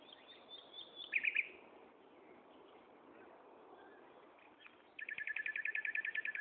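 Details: A common nightingale sings at Gaasperzoom on 16 May 2012 at 15:30. A short burst of loud chirps gives way to a pause, then a fast, evenly repeated series of about twenty rattling notes, with constant background hiss.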